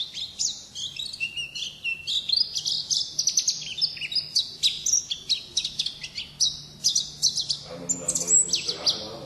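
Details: Wild-style 'ngalas' song of an Oriental white-eye: a continuous, rapid stream of high, thin chirps and slurred whistles with barely a pause, plus a brief low murmur near the end.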